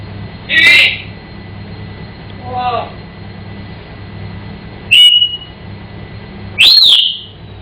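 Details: Pet African grey parrot indoors, singing and mimicking: a few separate sharp whistled notes and short squawks spaced a second or more apart, over a steady low hum and faint background music.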